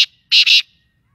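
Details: Black francolin of Sindhi Pakistani type giving loud, harsh, rasping notes: the tail of one note, a pause, then a doubled grating note with a short break in the middle.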